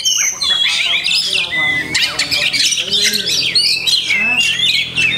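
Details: Continuous varied song of an Oriental magpie-robin (kacer) rich in masteran, borrowed phrases: shrill whistles, scratchy trills and short descending slurs poured out rapidly in an unbroken stream.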